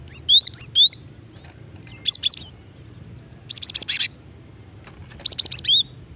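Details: Female cinereous tit call used as a lure to draw a response from other cinereous tits: four bursts of high, sharp whistled notes, rising then falling, three to five notes each, with short pauses between bursts over a quiet background.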